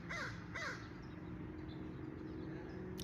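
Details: A wild crow perched in a tree right beside the recordist after moving over from a nearby tree, giving two harsh caws about half a second apart, then quiet outdoor background hum.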